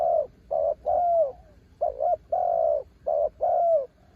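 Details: Spotted dove ต่อกิ่ง song from a bird described as a mountain bird: seven resonant coos, short paired notes mixed with longer ones that slide downward at the end, with a brief pause midway.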